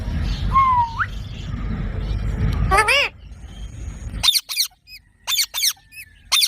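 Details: A rising whistle and a harsh squawk from a parrot over rumbling noise, then quieter surroundings and a burst of sharp, high, squeaky chattering notes in quick clusters.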